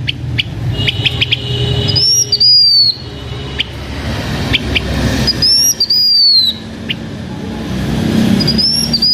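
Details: Blue-winged minla singing as a lure bird, owned by a Hmong keeper in Vietnam: repeated high slurred whistles, rising then falling, in three phrases about three seconds apart, interspersed with short sharp chirps over faint low rumble.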